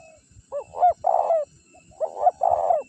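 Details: Spotted dove calling as a decoy for wild birds: two brief phrases of soft rising coos leading into a sustained, deep, husky note, over low rustling.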